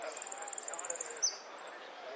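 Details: Saffron finch (Sicalis flaveola) song: a very high, evenly pulsed trill of about twenty beats, ending in one sharp falling note and a short high burst. Faint low sounds lie underneath.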